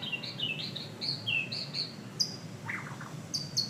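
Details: White-rumped shama singing a rapid string of clear, bright whistles. Short notes are mostly falling or sliding, with a few lower buzzy chirps midway, over a low background rumble.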